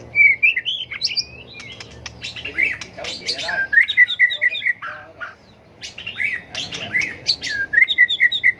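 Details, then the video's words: White-rumped shama flicking its tail during competitive fighting song meant to train birds: dense warbled and whistled phrases with harsher chattering notes and clicks, ending in bright rolling whistles. "chòe lửa tạch đuôi hót đấu kích chim cực đỉnh, luyện chim hót đấu hay"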